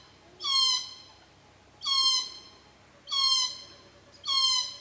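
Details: Glossy black cockatoos at their feeding ground and nursery on a rural property at Cootharaba, where they feed on Casuarinas between June and September, arriving at 4.30pm: four drawn-out, rasping, harmonic-rich calls, each slightly falling, repeated about every 1.2 seconds.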